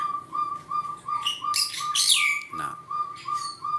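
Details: A crested partridge in an aviary gives short, even whistles on one mid pitch, about three per second, calling loudly to find its mate, while other birds add brief, higher chirps and sweeps.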